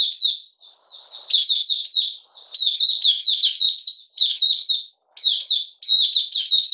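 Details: Malaysian Oriental white-eye, kept caged, recorded in minor moult and not in form on 31 July 2023, giving buka sing: bursts of quick, bright, chattering notes in phrases broken by short pauses.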